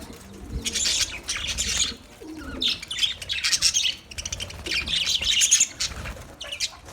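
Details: Budgerigars in a colony chirping in clustered bursts of high twittering notes, with short pauses between groups and soft low background noise.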